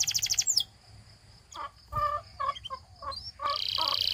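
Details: Belgian canary singing to prompt other canaries to sing: a fast high rattling trill opens, then scattered lower warbled and clucking notes, closing with a dense buzzy rolling trill held for nearly a second.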